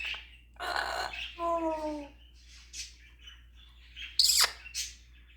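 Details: African grey parrot performing imitations: a raspy noisy burst, then a falling harmonic meow-like note, soft whistles, and a sharp high click followed by a hiss-like squeak.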